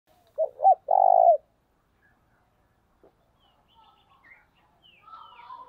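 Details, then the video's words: Spotted dove calling at early morning to lure birds: two short rising coos followed by a longer, steady, drawn-out coo, then faint scattered chirps of other birds. "cu gáy thúc gù và gáy gọi bổi sáng sớm"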